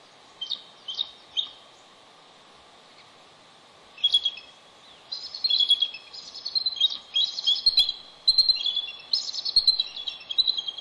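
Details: Bald eagle pair calling at their Pelican Harbor nest on Santa Cruz Island during an afternoon incubation switch: the male arrives and the female, who laid an egg two days earlier, leaves. High twittering chirps come in short bursts, then grow denser and overlap.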